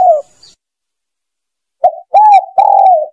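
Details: Spotted dove lure call for hunting from a hide: a single falling coo, a pause, then a short note and two longer mellow coos in quick succession.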